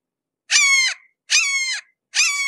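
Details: Red-shouldered hawk seen up close, giving three harsh, rasping screams of about half a second each, spaced roughly a second apart, with no other sounds.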